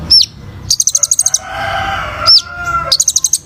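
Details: Kolibri ninja sunbird singing busily as bird-training material: a whistled upslur, then a rapid run of high ticks, a lull with faint lower hum, and the same slur-and-ticks pattern again.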